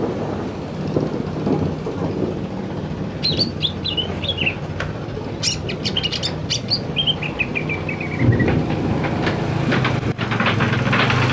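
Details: A male greater green leafbird sings in the afternoon, giving a burst of rapid bright chirps, then sharp clicks, then a fast descending series of whistled notes, over a low steady background rumble.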